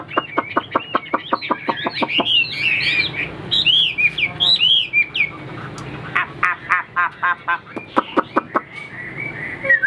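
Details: A tame, newly arrived Chinese hwamei, singing solo in its cage in the morning, gives loud, varied phrases: runs of sharp repeated notes, then rich rising and falling whistles at a brisk pace.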